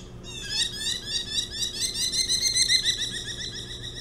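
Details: Merlin, one of a nesting pair on Hog Island, buzzing a person near its nest in July 2017; a rapid, high, chattering series of sharp notes, roughly three or four per second, sustained throughout.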